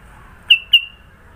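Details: Two crisp whistled notes from a sooty-headed bulbul in Sidoarjo, East Java, part of a varied fill-in song; each starts sharply and fades in a drawn-out, slightly falling tail, about a quarter second apart.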